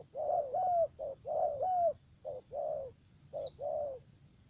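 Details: Spotted dove in U Minh, Cà Mau, Vietnam, used as a decoy for trapping; close hoarse coos grouped in short-long phrases with brief pauses, and a single faint high chirp from another bird.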